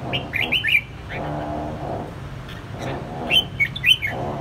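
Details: Red-whiskered bulbul, escaped, singing back hard at a home-kept bulbul: two short bursts of liquid, rolling whistled notes separated by a pause, with constant low rumbling background noise.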